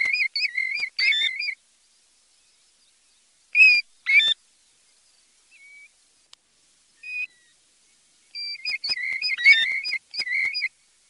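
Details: European golden plover calling: clear, plaintive whistled notes with a bright overtone, given in quick clusters at the start, again near four seconds, and in a longer run of repeated whistles toward the end, separated by silence.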